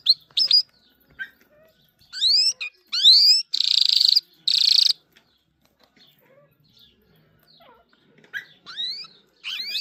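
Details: Irani king jal with sparse phrases: a few sharp whistles, sweeping rising notes, two loud rasping buzzes, then quiet gaps before further upswept chirps near the end.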